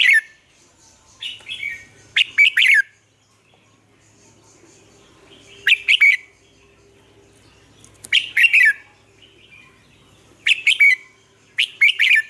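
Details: Red-whiskered bulbul lure song for training caged birds, Vietnam: short loud phrases of three or four rich whistled notes repeated every two to three seconds, with faint low hum beneath.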